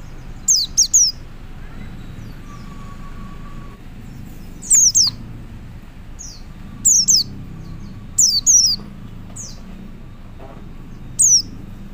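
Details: Male white-eye calling to other white-eyes, giving clusters of shrill, descending tsee notes at uneven intervals, mostly in twos, over soft low background hum.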